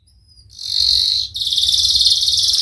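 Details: Canary lure song in the Cengkok Mewah style: after a faint thin whistle, a loud continuous high buzzing roll that breaks briefly, then resumes as a rapid pulsing trill.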